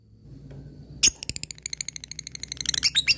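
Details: Caged fighter lovebird bursting into ngekek to call an opponent. A sharp squeak opens it, then a fast, scratchy stream of chattering pulses speeds up and ends in squeaky notes.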